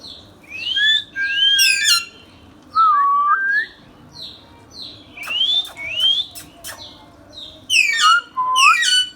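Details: Pet Indian ringneck parrot whistling loudly in rapid series: rising sweeps, warbling notes and fast stacked chirps, about four per second, with echoing repeats and a few clicks.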